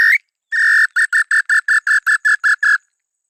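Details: Female small-billed tinamou answering after being provoked: one upslurred note, then a steady series of about ten short, clipped whistled notes at an even pitch, evenly spaced and slightly accelerating.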